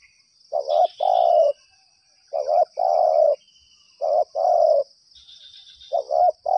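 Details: Spotted dove responding nonstop to a trapping lure, repeating four low coo phrases about one and a half seconds apart, each a brief double note then a drawn, even coo.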